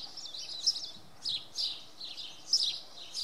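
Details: Common redstart at Oksywie singing at dawn on a Monday; thin, high warbling phrases repeat roughly once a second, each a short jumble of chirps with brief gaps between.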